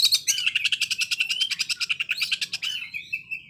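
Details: Oriental magpie-robin giving a coarse short-circuit style song likened to a sewing machine: a fast, even rattle of buzzy high notes, about eight per second, ending in a thin whistle.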